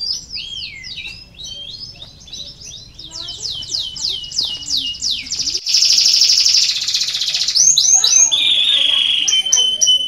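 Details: Canary song played to stimulate lazy canaries to sing: high rapid trills and sweeping notes shift from one phrase to the next, then a dense buzzing roll and a long, steady, slightly falling whistled tone.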